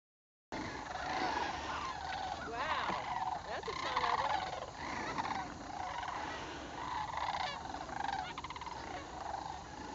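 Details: Sandhill cranes, a flock gathering in northern Indiana during fall migration in October: overlapping rolling, trumpeting calls from many birds, with rattly harmonics rising and falling continuously.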